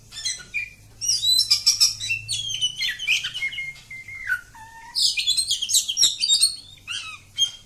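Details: Long continuous song from a village-type oriental magpie-robin. Fast runs of high buzzy notes give way to clear, slurred whistles that descend, then more crowded scratchy trills. A faint low hum runs underneath.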